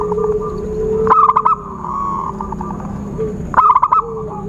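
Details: Zebra dove lure sound for bird trapping: two bursts of rapid, clipped coos about two and a half seconds apart, with sustained whistled tones between them and a faint high whine.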